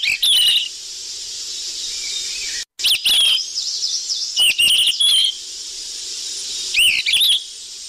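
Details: Sikatan emas flycatcher calls for bird trapping, noisy style: bright wavering whistles with rasping bursts in several bouts, a brief dead silence near the middle, and persistent high hiss between.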